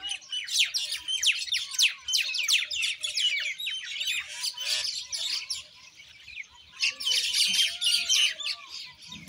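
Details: Common Indian myna: rapid, uneven stream of harsh chirps, about three notes a second, interspersed with lower gurgling, looping whistles; chatter dips briefly midway, then resumes loudly.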